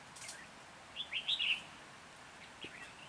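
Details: Red-whiskered bulbul singing at a trapping site in Hòa Bình on 14 January 2021. One brief, fluty, warbled phrase of four quick notes is heard against soft background hiss.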